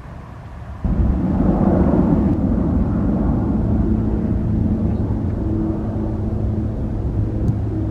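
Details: A loud low rumble from a passing aircraft or vehicle starts abruptly after a quiet opening and continues steadily, with no animal calls.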